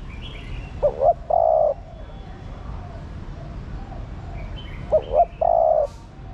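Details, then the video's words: Calling female spotted dove urging a male to respond: two phrases about four seconds apart, each a pair of brief upslurred notes and a longer steady coo, with faint chirping in the distance. "Chim Cu Gáy Mái Thúc Trống Nhạy Bén. Tiếng Chim Cu Mái Gáy Kích Bổi"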